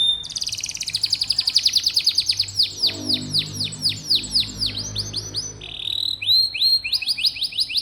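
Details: Canary singing, played to prompt young canaries that rarely sing: long fast series of downward-curving whistled notes, repeated many times per second, followed by a brief rolling trill and more rapid swept notes.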